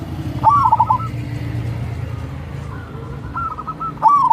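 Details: Crossing-style song of a local wild-type zebra dove, used as a lure for lazy birds: two loud stuttered coo bursts and a fainter rolling phrase, partly buried in heavy low rumbling noise.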